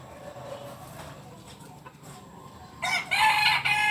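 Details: Biriang kuniang Kukuak Balenggek rooster, a pure-bred bird from Solok, West Sumatra. Near the end it bursts into a loud, bright, harmonic crow with a couple of stepped segments, following nearly three seconds of low background hiss.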